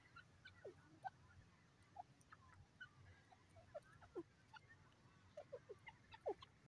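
A francolin gives short, sharp, falling clucks at irregular intervals, sometimes in quick pairs, over a low background rumble.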